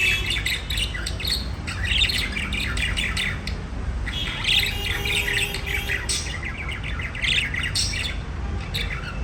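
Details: Budgies chatter and chirp in a busy mix of quick high squeaks and warbled notes, coming in clustered bursts with brief lulls, set against a constant low rumble.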